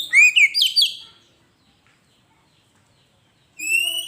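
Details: Oriental magpie-robin (kacer) in masteran pancingan song: a short burst of four loud, sliding whistled notes, a long silence, then a single long steady high whistle.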